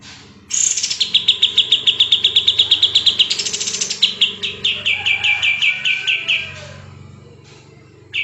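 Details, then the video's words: Sooty-headed bulbul, locally kapas tembak, delivering a long, tightly packed 'gacor speed rapat' phrase as training audio for shamas, leafbirds and magpie-robins. About two dozen quick bright notes, stepping lower midway, then fading, with a faint hum beneath. "BURUNG KAPAS TEMBAK GACOR SPEED RAPAT"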